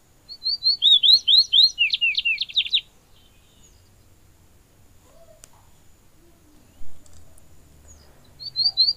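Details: Morelet's seedeater singing a rapid burst of high, sharp slurred whistles for nearly three seconds, then a long pause with faint background sounds, before a short phrase of similar notes begins again at the end.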